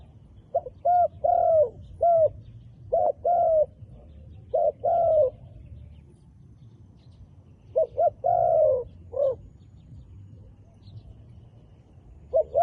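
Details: Wild dove with dark black plumage cooing in repeated phrases: two short clipped notes, then a longer, slightly falling hoot. Several phrases are separated by brief pauses over a faint low rumble.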